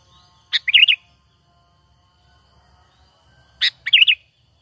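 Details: A natural sooty-headed bulbul call played as a trapping lure. It has a pair of brisk gurgling phrases about three seconds apart, each opening with a sharp note and running into rapid wavy chirps, with near silence between them.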